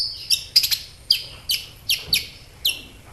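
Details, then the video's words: Kolibri ninja sunbird singing loudly, used as a lure for other sunbirds. Short, high, downward-sweeping chirps come singly or in small clusters, about two each second, over a faint low hum. "SEMUA Burung KOLIBRI CUEK LANGSUNG RESPON DAN GACOR Dengan PANCINGAN INI!KOLIBRI NINJA GACOR"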